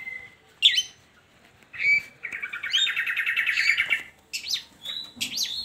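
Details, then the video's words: Song of a long-tailed shrike, used as a lure to get reluctant shrikes singing: a whistled note, sharp calls, then a sustained rapid chattering trill of about two seconds, followed by high slurred whistles. "Pancingan Buat Burung Cendet"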